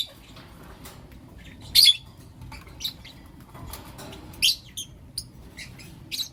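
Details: Morning chirping from blue opaline and lutino opaline lovebirds, short shrill high-pitched notes spaced irregularly with one louder squeaky burst, against low steady hiss.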